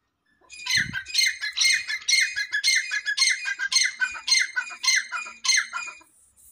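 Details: Black francolin call played to excite francolins: a harsh, grating phrase of about ten rapid, evenly spaced squawky notes over five seconds, preceded by a brief low thump.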